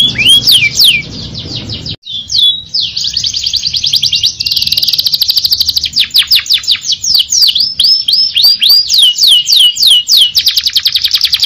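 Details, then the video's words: Canary delivering a gacor ngerol nembak song: after a brief noisy start and a short pause, a long, dense rolling trill of high whistled notes runs on, turning into repeated looping sweeps and rapid chattering bursts. "KENARI GACOR NGEROL NEMBAK | CANARY SINGING"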